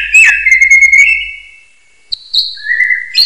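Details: Common hill myna whistling, used as a training recording for other birds: a long, clear, slightly wavering whistle that rises in pitch, then a pause, then a short high whistle and a lower sliding whistle.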